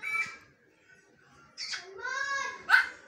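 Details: A bonded pair of grey parrots talking: a short note, a pause, then a drawn-out, speech-like phrase with rich tone, ending in a sharp squawk.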